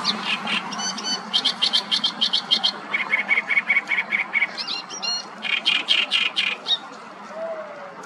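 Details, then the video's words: Great reed warbler singing close by, 5-6 meters away, on the bank of the Nioman river inside Hrodna city, western Belarus, 31 May 2024: loud harsh croaking and grating repeated notes in bursts, some squeaky high notes, steady background hum. "Great reed warbler singing close by"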